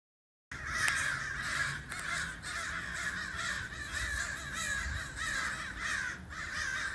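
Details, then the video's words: A flock of crows heard from inside a house, gathered after a couple began calling. Hoarse, overlapping caws form a continuous raucous chorus after a short silence at the start. "Crows crowing"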